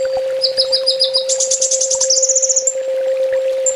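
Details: Olive-backed sunbird master song for training caged birds, full tembak style: rapid buzzy trills in bursts, first lower, then a higher, longer run, ending with a short high note, over a constant low hum.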